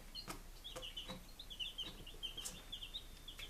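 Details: Five-day-old domestic chicks from Lunenburg, Massachusetts, recorded July 23, 2017, chirp almost continuously, with bright peeps running together in a busy chorus and a few light taps.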